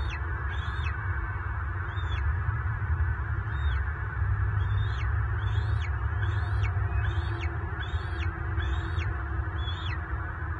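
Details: Bald eagle calling at a southwest Florida nest on March 24, 2023, during a talon-locking fight between the lone father of eaglets and another mature adult; high piping notes that drop sharply, repeated about every second, over constant low rumble.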